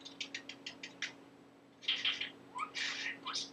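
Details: Talking budgerigar, a male kept as a pet that mimics learned words; a row of short evenly spaced clicky chirps, a pause, then louder raspy syllables and two quick upslurred whistles.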